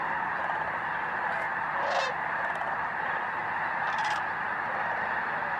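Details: Snow geese in a vast flock, Bosque del Apache National Wildlife Refuge, December 12–13, 2009, at dusk or dawn: steady massed chatter with two brief, closer rasping calls about two seconds apart.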